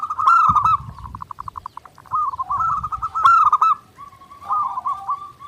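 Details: Zebra dove (perkutut) in energetic nonstop song for daily training: a loud rolling phrase, a stuttering series of quick pulsed notes, then repeated bubbling coos and a softer closing trill.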